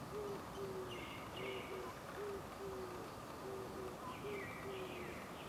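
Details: Hooting Oriental scops owl on a branch at the Gongju Suchon-ri tomb site, South Korea, 24 April 2025, about 09:17; steady series of short, even, low notes grouped in twos, over a noisy background with faint higher bird chirps.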